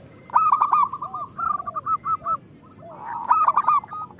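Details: Local zebra doves singing, used as a lure to stir reluctant birds into song: rapid rolling coo phrases of staccato notes, with lower curved coos between, several overlapping voices and sharp clicking sounds.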